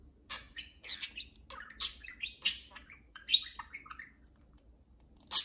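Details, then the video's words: Two pet budgerigars flying free indoors around a house, talking to each other: bright, scratchy high chirps and warbles in short bursts, with a sharp squawk at the end. "Kiwi and Pixel talk to each other"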